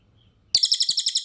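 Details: Birdsong from an Indonesian training tape of cililin and cucak kinoy, recorded clean; after a short silence, a loud, fast trill of buzzy, high notes, about twelve per second, continuing steadily.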